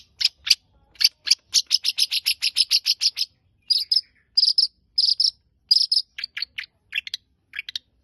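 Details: Long-tailed shrike (cendet) delivering a rapid run of sharp high chips, then paired buzzy notes repeated about every half second, ending in lower varied chirps. The song is loud and clear against a silent background.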